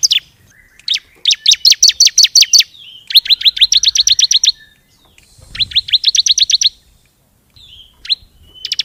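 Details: Lure call of bar-winged prinia, known locally as ciblek, for attracting birds: fast runs of sharp, high, evenly spaced chips in three long bursts, with brief thin whistles between them and a few lone notes near the end.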